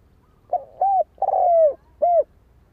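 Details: Spotted dove giving its cooing phrase: several mellow low coos, the longest one drawn out and gently falling, followed by a final short coo; otherwise quiet.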